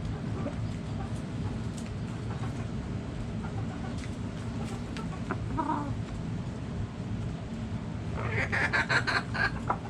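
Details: Backyard chickens: scattered quiet clucks for several seconds, then a loud, rapid, harsh burst of repeated clucking near the end, over low-pitched background noise.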